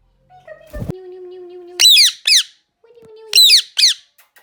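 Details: Indian ringneck parrot giving two loud double screams, each a pair of shrill downward-sweeping screeches, after steady low whistled tones and a sharp knock.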